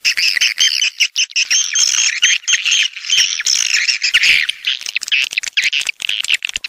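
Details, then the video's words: Walet pantai swiftlets from the south give shrill, squawking twitters in overlapping bursts, with sharp clicks scattered through a constant high chatter. "Suara Walet Pantai"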